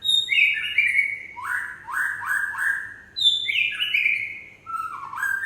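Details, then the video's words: Loud gebrak-style song from an Aceh white-rumped shama: quick stepped runs of clear, sliding whistles, falling and rising in short bursts, with a quiet background. "Murai Aceh Gebrak"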